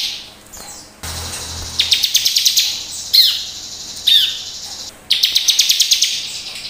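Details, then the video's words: A Bar-winged prinia sings energetically in high, rapid chattering bursts of sharp repeated notes, broken by short slurred whistles; the rest of the recording is quiet. "suara ciblek gacor penuh emosi"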